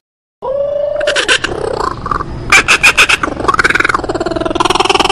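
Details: Kookaburra with a song called scary. A steady hooting note is followed by a burst of clipped staccato notes, then an arching tone that runs into fast, rattling laughter.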